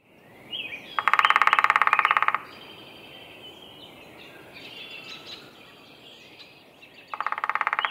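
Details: Downy woodpecker drumming at Roberts Bird Sanctuary, Minnesota: a rapid, even roll of taps lasting over a second, then a second roll near the end, with thin chirps from other birds between the bursts.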